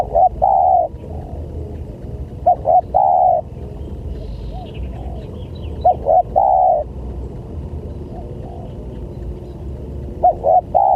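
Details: Repeated spotted dove call used as a lure for other doves: four phrases spaced about every three to four seconds, two short coos leading into a long mellow coo each time, with soft cooing between.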